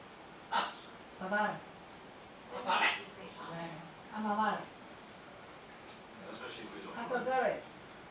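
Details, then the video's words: Pet blue-and-yellow macaw talks in short, speech-like bursts, about seven syllables in eight seconds, in a small indoor room, in a conversation with the owner's mother-in-law. "琉璃金剛鸚鵡 朱迪迪 與 丈母娘的對話"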